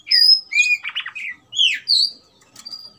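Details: An agitated Oriental magpie-robin in fighting mode sings loud, fast bursts of clear whistles mixed with harsh, buzzy chatter and sharp upslurred notes, switching phrases every half second.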